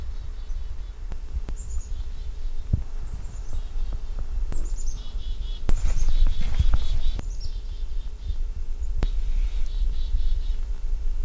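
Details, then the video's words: Chickadee calling in a natural outdoor soundscape: several series of high, thin introductory notes followed by lower, buzzy repeated notes, phrases recurring through the recording, with low rumbling background noise and a few sharp clicks. "soundscape chickadee"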